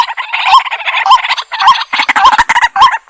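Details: White-breasted waterhen calling amid thick, harsh chatter, with a croaking note repeated about every half second through three seconds.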